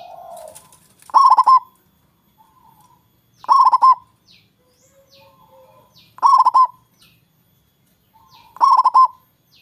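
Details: Local zebra dove with a strong voice, singing to lure rival doves into calling back; four staccato cooing phrases repeat about every two and a half seconds, each a quick burst of rolling notes, with soft coos between.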